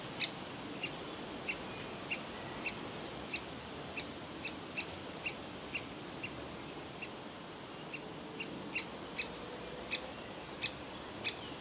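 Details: Woodpecker chick in its nest cavity begging for food, parents wanting it to leave; a long series of sharp high notes, roughly two each second, evenly persistent above a quiet background.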